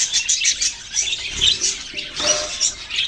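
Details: Chirping budgerigars, the Australian parrot: rapid high warbling and chattering notes in short overlapping bursts, with a soft fluttering sound.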